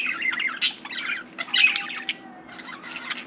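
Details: Pet budgerigar chattering as if wanting to talk: scratchy squawks and warbled chirps, then a thin, steady whistled tone trailing off.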